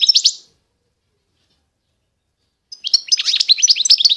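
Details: Goldfinch of the Constantine type, eastern Algeria: a quick burst of bright twitters, a couple of seconds of silence, then a lively run of high chirps, sharp whistled slurs and tinkling notes.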